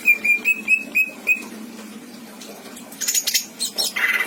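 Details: Greater green leafbird kept as a pet in Indramayu, singing mimicked fill-ins: five quick level whistles, a pause, then noisy rasping bursts ending in a buzzy trill.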